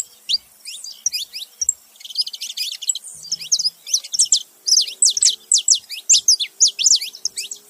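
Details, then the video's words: Saffron finch, a male and female together: busy high chattering chirps that build into a loud, rapid series of sharp descending notes, with a faint low hum in the background. "canário da terra macho e fêmea junto fazendo barulho"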